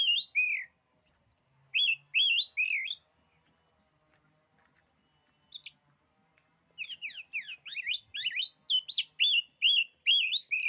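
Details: Oriental magpie-robin in full song, said to unnerve other magpie-robins: rich slurred whistles in quick phrases, a pause with a brief high note, then a fast rambling stream of buzzy sweeps and warbled whistles.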